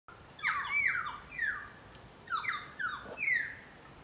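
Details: Pied currawongs calling in a Brisbane garden: loud descending whistled notes with harmonics, given in two bursts of about three notes each, separated by a short pause.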